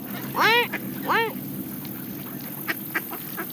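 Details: Canada geese feeding on seeds alongside mallard ducks: two loud, nasal honks rise then fall about a second apart, followed by soft pecking clicks and low background rumble.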